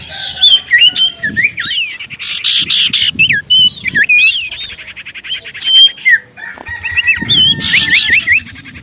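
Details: Common iora song used as a lure to make ioras answer: rich warbling run of twisting whistles, squeaky chirps and buzzy bursts, loud and nearly continuous.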